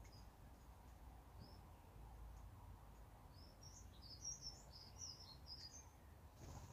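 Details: Starling giving a run of high, scratchy, twittering chatter that builds toward the second half, over a constant low hum of environmental noise.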